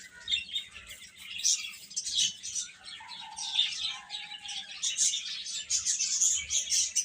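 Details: Chicks keep up constant high-pitched peeping in overlapping bursts. A lower, drawn-out tone sounds for about a second near the middle.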